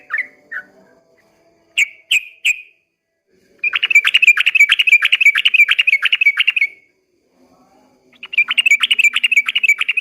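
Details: Dawn song of a yellow-vented bulbul in long ropel panjang style: a few separate slurred whistles, then a fast buzzy trill of rapid repeated notes lasting about three seconds, a pause, and the trill again.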